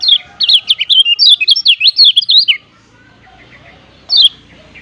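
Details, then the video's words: High-pitched ciak ciak chirping of the kecial kuning, Lombok's yellow white-eye, recorded to lure wild birds. A dense chattering series of quick, slurred notes runs about two and a half seconds. A single loud chirp follows after a quiet gap. "Masteran Kecial Kuning Ciak Ciak Ngejoss Ampuh Cepat Pancing Kecial"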